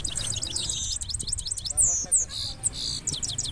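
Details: Goldfinch in two-step rolling song, a short stretch of thin, high twittering and sharp chirps over a low background rumble, with a couple of brighter slurred notes in the middle.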